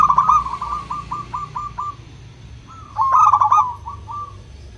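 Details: Local zebra dove song meant to coax other doves into singing: a run of short repeated coo notes, trailing off, then a louder burst of rapid stuttering coos followed by a few fading notes.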